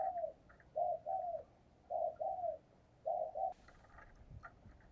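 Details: Spotted dove decoy cooing in the 'thúc gù' style meant to stir up wild doves: paired mellow coos repeated roughly every second, with faint outdoor background and a brief noise burst near the end.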